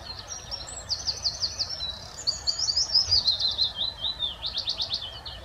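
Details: Scandinavian rock pipit (race littoralis) on a pond scrape on a showery morning, 16 May 2024, calling: thin, high, sharp notes in quick buzzy trills and chattering runs, about three per second, over a soft low rumble.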